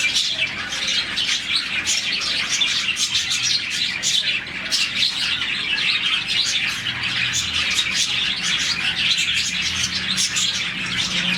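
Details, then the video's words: Morning chirping from a colony of around 40 budgies, described as their happy sound; a constant wall of rapid, high-pitched twittering and scratchy notes from many birds at once. "Lovebirds, budgies, parakeets morning chirping sound"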